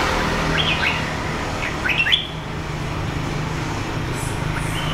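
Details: Red-whiskered bulbul from A Lưới, Huế, Vietnam, wild-origin and red-patched, two seasons: a few quick chirpy whistled notes in a brief cluster, partly softened by steady low engine-like noise.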